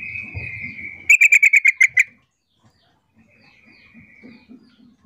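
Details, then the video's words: A female sooty-headed bulbul calls to lure males, giving a drawn-out whistle, then a quick burst of about seven bright, chattering notes; a fainter whistle answers later in a call-and-response exchange, over a low background rumble. "trucuk betina gacor pintar memancing trucukan jantan jadi rajin bunyi Sahut sahutan"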